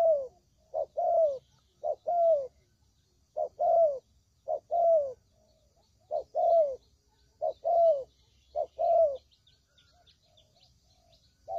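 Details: Trapping lure of spotted dove: separate short coo pairs, soft and falling, spaced by clear silent gaps, roughly one phrase every second or so.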